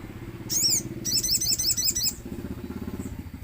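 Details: Common iora lure song with nature sounds, meant to make ioras answer: one high downslurred chirp, then a rapid rattling string of about eight sharp notes, over a steady rumbling engine drone.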